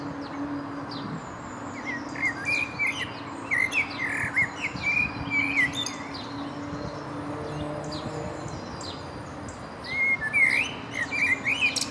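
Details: Male common blackbird (Turdus merula) singing in Berlin, Germany, in April 2015: low, fluty warbled phrases, each trailing into thin, high twittering, with a pause between phrases, over a faint steady hum.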